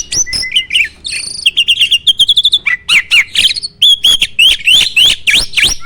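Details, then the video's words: Starling giving a master song to stir other birds: a quick medley of clicks, buzzy trills and a rapid chip series, followed by repeated sharp V-shaped whistled notes toward the end. "MASTERAN BURUNG JALAK"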